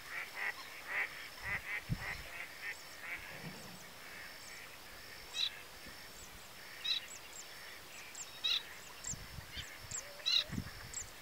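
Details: An adult male pin-tailed sandgrouse, a steppe bird seen unusually in the Tancat de Milia wetland reserve, Albufera, Spain, on 1 June 2013, gives short nasal honks, a quick run then single calls every one to two seconds, over a thin high whine.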